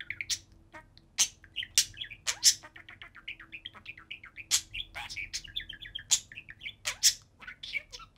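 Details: A pair of budgerigars playing on top of their cage, chattering constantly: rapid warbled twittering with sharp high chirps scattered throughout, over a low household hum.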